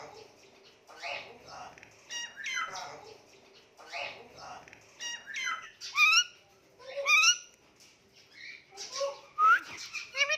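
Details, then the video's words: Talking Indian ringneck parakeet produces speech-like mimicry in pulsed, voice-like phrases, then bright rising and falling whistles and squeaks. The notes come in irregular bursts indoors. "Talking Indian Ringneck Parrot Making Cute Noises"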